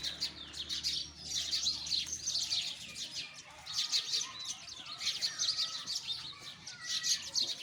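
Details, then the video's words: Sparrows chirping in a dense, continuous chorus of rapid high-pitched chirps, overlapping in bursts with brief lulls, a faint low hum underneath. "Listen the voice of sparrow"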